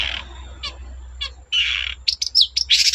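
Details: Long-tailed shrike song used to set other shrikes singing: scratchy buzzy notes, a few faint chirps, then quick squeaky notes and a harsh rasp at the end.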